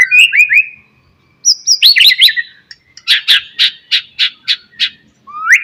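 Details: White-rumped shama in morning song used to spur other shamas: a few slurred whistles, a pause, then a dense twittering phrase followed by a series of loud, sharp, evenly spaced chips.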